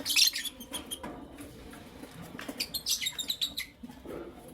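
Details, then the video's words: Lovebirds, Creamino and Lutino Opaline colour forms, kept indoors as pets and heard in the morning; sharp high chirps burst out at the start and again near three seconds, with scattered softer ticks and shuffling between them. "Lovebird Chirping Sounds"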